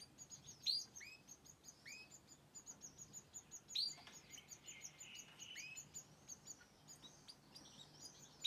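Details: Canary (Serinus canaria) singing alongside a goldfinch: a fast, high twittering song of rolled trills and sharp upward chirps, with a second finch-like singer possibly joining in.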